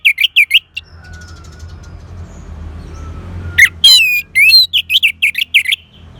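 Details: Orange-headed thrush singing, used to coax a silent bird to sing: clusters of loud, fast, high chirps and slurred whistles at the start and end, separated by a quieter gap with a steady low hum.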